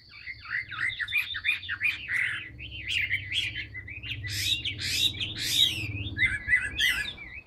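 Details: Caged Chinese hwamei with fresh plumage performing its fanned-tail song: a steady stream of warbled, slurred whistles mixed with harsh, sharp notes. A constant low hum lies underneath.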